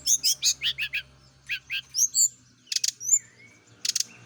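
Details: Morning dew exposure for a kept brown-chested jungle flycatcher, meant to make it sing often: a series of bouncy rising-falling chirps, then sharp high rattling bursts and a thin drawn-out whistle.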